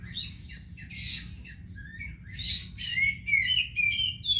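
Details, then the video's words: Oriental magpie-robin (kacer), a house bird, giving two harsh buzzy bursts followed by a run of sweet, slurred whistles and twitters, with a faint low hum behind. "burung rumahan teman ngopi lurr#kicaumania #kacer"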